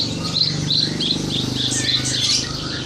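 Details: Horsfield's bush lark song meant as a tutor recording for training birds: high, thin chirping phrases in quick clusters, set against a constant low droning background.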